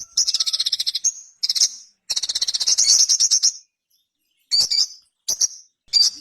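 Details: Quick, stuttering trills of very high notes from a ruby-cheeked sunbird, two long runs, followed by a silence and then a few isolated sharp chirps.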